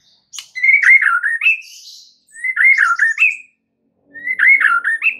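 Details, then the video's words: White-rumped shama lure song for stimulating other shamas to sing: the same rich warbled whistle phrase is repeated three times, each rising then dipping and ending on an upward note, with brief silences between. "PANCINGAN Murai batu untuk MEMIKAT murai lain AGAR GACOR dan TAMBAH ISIAN"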